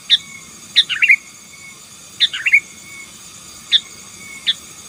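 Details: Sooty-headed bulbul singing to dominate rival birds: short bubbly phrases of quick chirpy notes, repeated roughly every 1.5 to 2 seconds, over a steady faint high electronic hum.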